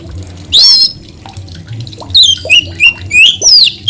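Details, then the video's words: White-rumped shama song: loud, clear, ringing whistled notes with sharp upward and downward sweeps, several in quick succession after a pause, over a low background hum. "mp3 kacer gacor"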